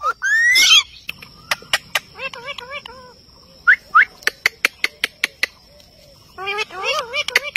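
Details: Indian ringneck parakeet talking at a mirror: a rising squeaky chirp, then bursts of harmonic, speech-like warbled phrases, with sharp dry clicks ticking between them.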